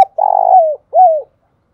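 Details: Spotted dove serving as a decoy for wild doves, the end of its phrase: a long, throbbing, burred coo slipping downward, then one smooth arched coo. No other sounds.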